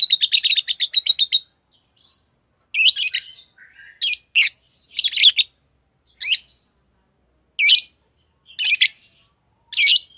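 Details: Tame pet lovebirds chirping: a rapid run of about ten sharp, high chirps in the first second and a half, then harsh, buzzy bursts spaced roughly a second apart in a quiet room.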